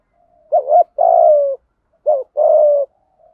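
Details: Decoy spotted dove urging wild doves closer with gáy gọi một hậu style calling; two clear phrases about a second and a half apart, each a wobbly short coo then a sustained, gently descending note.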